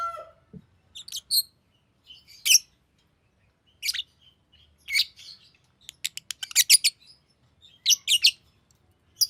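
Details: Irregular high chirps from a green lovebird build into a quick cluster of clicky, stuttering notes near the end.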